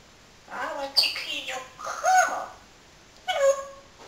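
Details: A talking parrot kept as a pet gives voice-like, harmonic phrases that sound like speech, with a sharp squeak and a final short spoken-sounding word.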